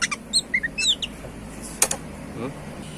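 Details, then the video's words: Oriental magpie-robin (kacer) giving a brief phrase of quick high chirps and short whistled slurs, followed by a single loud click and then quieter background hum. "Burung kacer super jinah+gacor"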